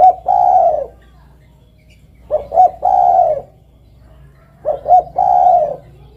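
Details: Derkuku, the spotted dove, calls three times at roughly two-second spacing. Each call has two short hooting notes that lead into a long, steady, softly descending coo over a constant low hum.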